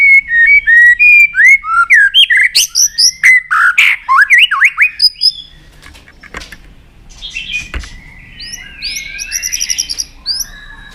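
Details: White-rumped shama tach calling while flicking its tail to make a contest shama sing fast: a rapid series of rising and falling whistled notes and harsh chirps for about five seconds, then quieter distant warbling.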